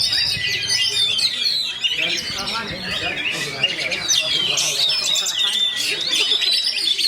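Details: Fast, dense roll speed rapat song of an Oriental magpie-robin (kacer): rushing chatter of bright whistles and scratchy notes throughout, with faint human voices in the background.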